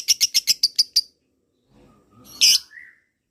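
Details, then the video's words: Lovebird giving a short string of seven fast shrill notes, then silence, a soft rustle and one harsh squawk; a lure sound for other lovebirds. "masteran pancingan suara LOVEBIRD ini. LOVEBIRD mu akan segera nyaut dan ngekek panjang"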